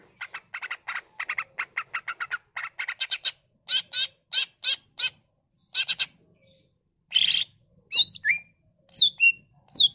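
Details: Greater green leafbird (cucak ijo), singing actively with mimicked fill-ins: a long rapid chatter of short buzzy notes, slowing into spaced harsh bursts, then loud twisting whistled phrases.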